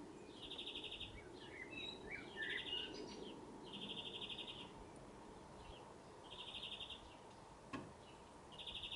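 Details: A male European greenfinch sings from the top of a blue spruce: rapid, rattling trills about a second long, repeated roughly every two seconds, with scattered short chirps and a low background rumble.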